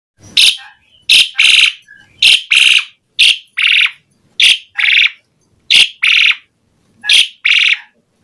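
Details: Asian pied starling singing in lively gacor style, used as a lure to get other starlings singing: harsh, broadband rasping bursts, mostly in pairs, repeated roughly every second and a half against a silent background.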